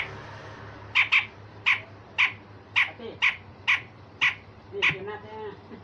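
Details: Rough rasping besetan kasar of a grey-cheeked bulbul, recorded to train other songbirds: about ten harsh, grating bursts in steady succession, some paired closely, over a low hum.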